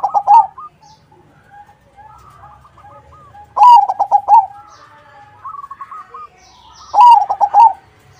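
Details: Perkutut crossing song from a zebra dove, used to coax other doves to reply: three loud rippling coo phrases about every three and a half seconds, with softer answering coos and thin whistled notes between them.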